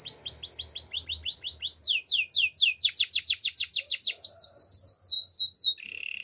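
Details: Canary song for training: a long run of fast repeated whistled notes, switching to louder, steeply falling sweeps and a rolling phrase, ending on a flat buzzy trill; clean with no other sounds.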